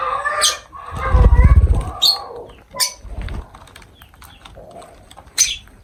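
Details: Lovebirds around feeding time give a few sharp, shrill chirps spaced over several seconds, mixed with lower raspy notes and a burst of dull thumping from handling or wing movement.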